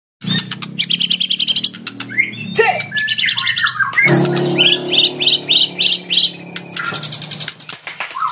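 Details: Fighter white-rumped shama singing a lure song to invite a rival to answer: rapid trills of repeated high notes, then slurred whistles and fast rising phrases, with a steady low hum underneath.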